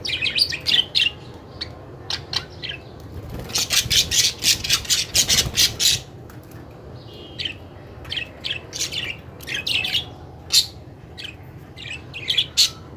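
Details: Budgerigars at a mirror chatter in rapid, scratchy chirps and squawks, with a dense burst of harsh notes in the middle.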